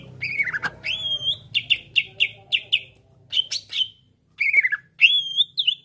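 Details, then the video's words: Greater green leafbird song meant to stir other leafbirds into singing. Bright whistled phrases start with a falling slur, then come clusters of sharp chirps, a brief gap and more rising whistles, over a faint low hum. "CUCAK IJO BONGKAR ISIAN BUAT PANCING EMOSI IJO ANDA"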